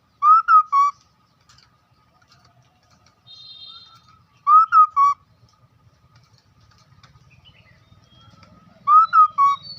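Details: Lure song of a hwamei: the same loud three-note whistled phrase repeated about every four seconds, notes rising then falling, with faint background chirps and low rumble.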